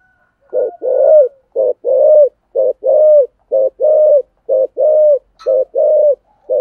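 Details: Decoy spotted dove cooing in a traditional local voice to attract wild doves: repeated pairs of a short clipped note followed by a longer, level, hollow coo, roughly one pair per second, steady and unhurried.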